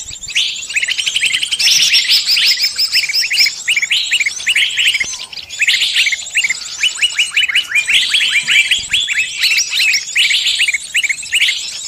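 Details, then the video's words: Trapping lure playing a mixed bird chorus meant to bring any bird close: dense, shrill chirping and chattering in repeated bursts, with short gaps every few seconds, high hiss throughout. "Pikat burung semua jenis terampuhhh"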